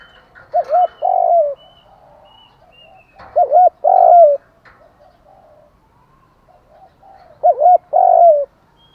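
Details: Spotted dove decoy cooing in the morning to provoke wild birds: three phrases, each two short looping coos then a long, drawn-out falling coo, spaced about three seconds apart, with faint soft notes between.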